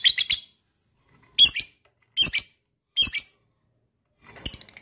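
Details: Lovebird calling, used to provoke other lovebirds into trilling: short clusters of sharp, high chirps separated by pauses, a quick triple opening, then single squawks, and a softer chatter at the end.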